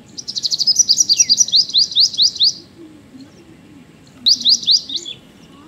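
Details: A White-throated kingfisher gives a shrill, rapid run of about a dozen high, sharp notes, then a shorter burst, over a low background rumble.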